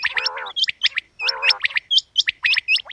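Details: A female quail's call, with throaty gargling bursts broken by quick hooked chirps in a fast, jerky rhythm.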